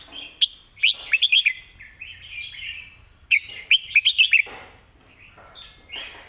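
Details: Red-whiskered bulbul singing its master song for training other birds: two bursts of quick, fluty, chirping notes, each run of four to six notes, separated by quieter warbles.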